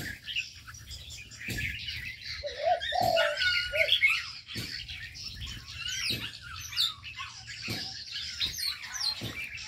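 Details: Aviary birds: constant high twittering and sharp chirps dominate, with a short cluster of low coos near the middle and scattered knocks and flutters.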